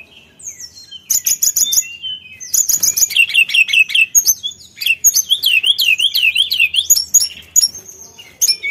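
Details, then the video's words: Yellow-bellied Warbler singing thin, high, tinkling whistles in quick bursts, with rapid wavering trills sliding up and down between short pauses. "BUNYI SULINGAN GACOR"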